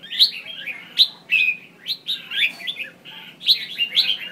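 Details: Female red-whiskered bulbul giving calls to trigger singing in males; lively, bubbling chirps and whistled slurs in uneven bursts throughout, with a faint steady hum.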